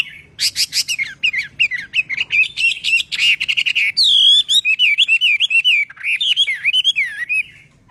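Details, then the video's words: A Chinese hwamei in song training opens with sharp clicky chatter, then pours out a long sequence of loud looping, rising-and-falling whistles in quick succession. "Luyện Giọng Họa Mi Hót Hay Mỗi Ngày"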